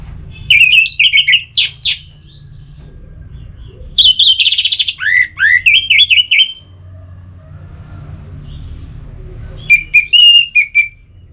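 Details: Orange-headed thrush, a kept bird from north Bali, sings phrases used to stimulate other birds to sing: loud bursts of whistled, squeaky and slurred notes separated by pauses, over a low steady hum.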